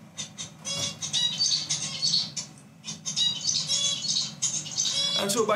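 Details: A singing zebra finch, recorded while its brain neurons are imaged during song, gives a rapid string of buzzy, nasal notes with harsh, stacked tones.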